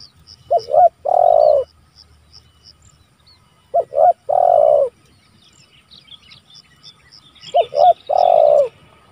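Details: Spotted dove calling to challenge rivals, recorded as lure and training material: three phrases, each two quick notes then a drawn-out descending coo, roughly every three and a half seconds; faint high chirps from another bird behind.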